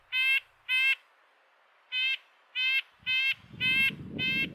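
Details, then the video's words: Red-breasted Nuthatch giving its territorial yank call, telling other males the area is occupied and attracting a female: seven short nasal, tinny toots in uneven pairs and singles; a low rumble rises underneath toward the end. "most common call is the territorial yank which is used to let other males know that this area is occupied"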